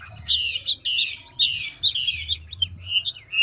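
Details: Chinese hwamei, big old forest bird of the 'ngũ trường' type, delivering fast voice-switching song: four loud scratchy bursts each ending in a bright whistle, then short whistled slurs, light hum behind.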